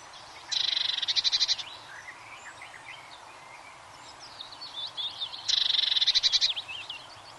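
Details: Eurasian blue tit singing: two rapid, high, buzzy trills of evenly repeated notes, each lasting about a second and spaced roughly five seconds apart, over a chorus of other small birds twittering and whistling in the background.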